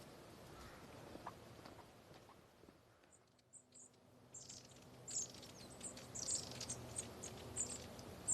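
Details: Long-tailed tits (Aegithalos caudatus), a flock feeding overhead, give thin, very high, short calls in quick, scattered bursts from several birds, over a steady broad background hiss.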